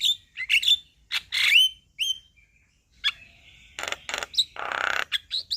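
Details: A male Javan myna sings, provoking a quiet bird: slurred rising whistles and clicks, a brief pause, then harsh buzzy rasping bursts and short squeaky notes.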